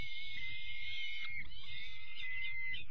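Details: Young peregrine falcon chicks being fed their evening meal on 5 May, giving thin, drawn-out squealing cries with a steady high whistle, over a low rumbling background.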